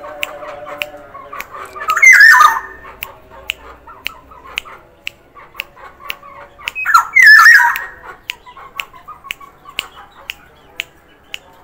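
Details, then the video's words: Sumbawa black-naped oriole calling actively: two loud, rasping, squawky phrases with quick pitch bends, about five seconds apart, over steady ticking clicks and a low tonal hum. "kepodang sumbawa gacor variasi NFS"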